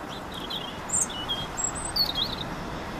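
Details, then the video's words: European robin singing at Caión, A Laracha, on 15 June 2013: thin, high, warbled and trilled phrases, fairly faint over a steady low background rumble. "Paporrubio, canto"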